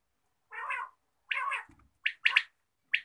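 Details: Morning quail voice: two drawn-out rasping notes, then quick high clipped notes in a double and a final single, in rapid succession.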